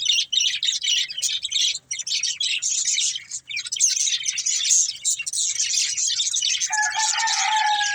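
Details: Several budgerigars playing and eating give dense, fast twittering chatter, high and scratchy, nearly continuous for eight seconds; near the end a steady, lower, drawn-out whistle-like tone joins in.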